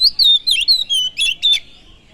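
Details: Oriental magpie-robin song played to provoke other birds: a short run of clear whistled notes, some sliding down, ending with two sharp chips before fading.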